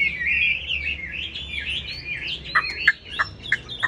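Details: A caged Chinese hwamei sings a continuous wavering whistled warble, then finishes with four or five sharp, spaced clipped notes.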